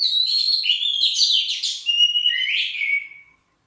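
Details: Warming-up song of an Oriental magpie-robin: a continuous flow of high, clear whistled notes mixed with scratchy chatter, ending on a long descending whistle.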